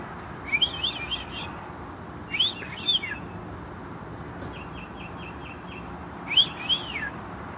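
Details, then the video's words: Wild birds singing during a May 2021 vacation: short bursts of high chirpy, twittering phrases and a quick series of repeated clipped notes, spaced a few seconds apart over steady broadband background noise. "Birdsongs tribute to Mother Nature"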